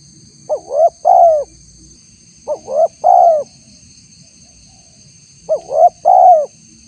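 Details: Lure call of a spotted dove meant to provoke wild doves, a female calling the male: phrases of two quick rising coos and a drawn-out third note, given three times at roughly two-second gaps over a faint constant high tone.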